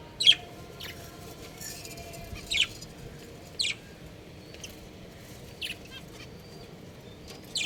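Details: Pet budgerigars kept at home give short, sharp, high chirps, spaced about a second or more apart and fairly faint, over a steady low hum of room noise.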